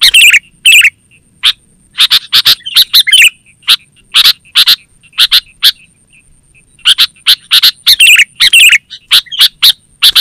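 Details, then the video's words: Lively kutilang, or sooty-headed bulbul, used for lure calling and song training. Irregular bursts of sharp, bubbly chirps come in short groups, with a quieter gap mid-way before the chatter resumes. A thin, steady high tone persists in the background. "Suara Burung KUTILANG GACOR Terbaik Untuk Panggilan dan Masteran"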